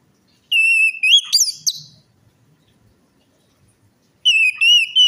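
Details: Lure song of an orange-headed thrush, meant to coax a bird that has stopped singing or is stressed: a level ringing whistle, then a quick upward-sweeping note, silence, and the whistle returning.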